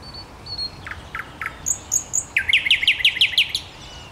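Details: Common nightingale recorded 5 May 2021 sings a varied phrase: a few soft notes, three high clear whistles, then a fast run of about eight rising, ringing notes over a quiet outdoor background.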